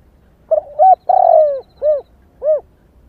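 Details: Single phrase of a female spotted dove calling to excite males: two short coos, a long buzzy coo sinking at its end, then two evenly spaced arched coos, over a faint low hum.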